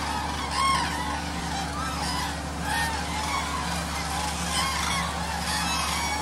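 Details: Large flock of common cranes at Agamon Hula, Hula Valley, Israel, in January, being fed maize by a tractor: loud, overlapping, unsynchronised trumpeting and bugling over the tractor's steady low engine drone.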